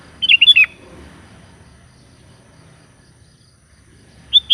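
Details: Sooty-headed bulbul calling to its companions: one quick bubbly phrase of several short chirpy notes, followed by a long quiet gap and the start of another note at the very end. Faint low background hum throughout.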